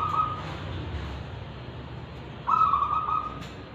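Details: Zebra dove of local wild stock, Tulungagung, with Kristal and Ulem voice styles; a short tremulous coo fragment opens, then one full, bright, rapidly pulsing cooing trill lasting about a second, steady in pitch, above a low rumbling background.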